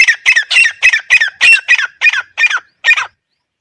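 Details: Grey francolin calling, a recording used to lure birds for hunting: about ten harsh, grating notes given in quick succession, each with a falling tail, slowing slightly before stopping abruptly after three seconds.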